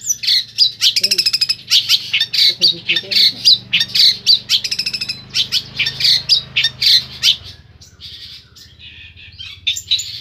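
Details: Song of a long-tailed shrike in Pemalang, Central Java, rich in mimicry: rapid dry ticking trills and loud scratchy chattering notes in quick succession, fading to softer, quieter phrases near the end, with a constant low background hum.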